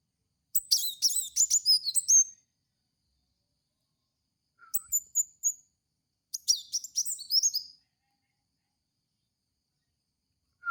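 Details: Kolibri wulung lure song for training caged birds: three separate bursts of high, tumbling chirps and short squeaky notes, spaced by quiet gaps.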